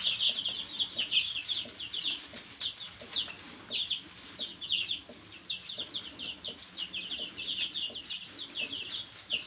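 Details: Many baby chicks peeping together: constant high, short chirps in irregular bursts over a hissy background with occasional soft rustles.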